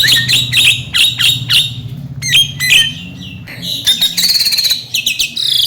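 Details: Javan myna in mblegedeg song, meant to trigger silent mynas into singing: rapid bursts of harsh squawks, then sharp whistled slurs and a bright trilled phrase, with a low background drone.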